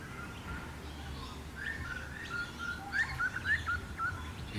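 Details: A butcherbird answers with clear, fluted whistles, several short rising slurs in quick succession, over a low background rumble, at a creek-side habitat of grasses and bamboo in Brisbane.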